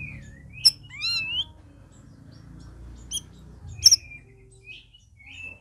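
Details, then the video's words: Red-whiskered bulbuls recorded as a group in their first week of care; a few scattered whistled notes and sharp high chirps with long pauses over a low room hum. "CUCAK RAWIS OMBYOKAN"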